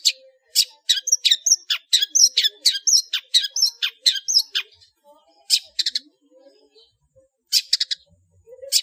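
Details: Long-tailed shrike in full ngeplong song with varied fill notes, used as a master for cage-bird training: a quick run of varied high chips and whistles, then brief pauses and short clusters of sharp notes.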